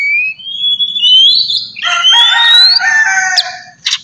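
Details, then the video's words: Oriental magpie-robin morning ngeplong song: a long rising whistle, then a full harmonic phrase climbing in pitch, ending in two sharp clicks over a faint low murmur. "terapi pagi cocok buat mancing emosi dan birahi kacer supaya cepat gacor dan bukor"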